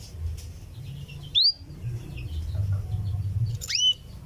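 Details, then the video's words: Female canary calling her mate with the cuwit-cuwit call, two crisp upward-sliding whistles about two seconds apart over faint chirping and a low hum. "suara kenari betina cuwit-cuwit memanggil jantan"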